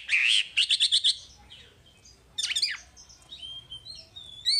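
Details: Wambi singing as masteran material: a warbled whistle leading into a quick series of rapid chirped pulses, then a harsh rasping burst and thin, high whistles.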